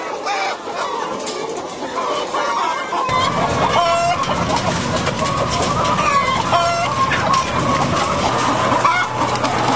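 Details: Battery-caged laying hens on a French farm, February 2012: a loud mass of clucking and squawking, individual rising calls standing out, while a machine hum starts about three seconds in and continues.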